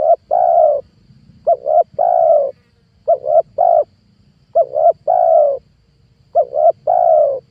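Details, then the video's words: Spotted dove cooing used as a decoy to draw in wild doves for trapping: five soft three-part phrases, two quick clipped coos then a longer sustained one, repeated about every one and a half seconds over a quiet low rumble. "PANGGILAN TUKUKUR PIKAT 2022 COCOK BUAT PANCINGAN TEKUKUR LIAR"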